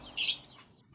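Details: Caged zebra finch in a small home breeding setup gives one short, bright, high chirp. The room stays quiet around it.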